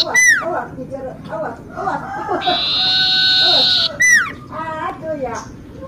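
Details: Chattering common iora, sung for luring: quick falling whistled notes and chips around a single sustained buzzy trill of over a second, followed by more down-slurred whistles.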